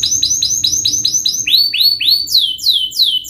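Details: Fast, sharp canary song meant to tutor young birds: a series of repeated downswept whistled notes, about three per second, shifting midway to higher, longer descending slurs.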